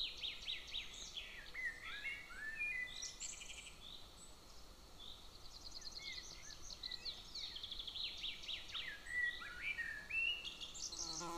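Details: Golden eagle eaglet in its nest near a military training ground, June 22, 2024; irregular series of high squeaky chirps and short downslurred whistles repeated over eleven seconds, with steady low background noise.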